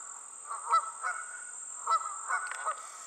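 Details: Geese calling on the wing, giving short nasal honks in a loose, irregular series, about six calls spread over three seconds, some doubled; a steady high hiss runs beneath.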